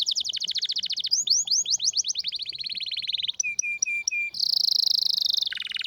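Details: Strong rare canary song: a long rapid trill of repeated notes, slower swooping notes, four short clear whistles, then a loud high buzzing roll ending with a drop in pitch.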